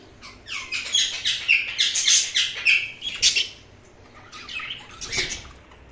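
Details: Indian ringneck (rose-ringed parakeet) giving a fast run of harsh, high chirps and squawks, about two a second, then a pause and a few more.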